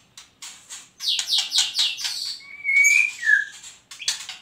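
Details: White-rumped shama singing a loud, melodious, varied song: a run of quick descending buzzy notes, then a clear sustained whistle that bends downward, ending with short sharp chips.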